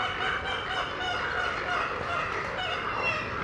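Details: Many birds calling together at a nesting rookery in Smith Oak Woods Sanctuary, High Island, Texas: a dense, continuous wash of overlapping harsh, honking calls with no single bird standing out.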